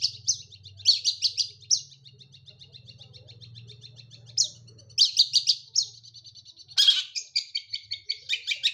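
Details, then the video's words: Vigorous song of a long-tailed shrike staying on a single perch, with clustered high, rasping chips and thin sustained twittering strings, bursts growing harsher toward the end, and a low hum early on. "Burung Pentet gacor nagen satu titik"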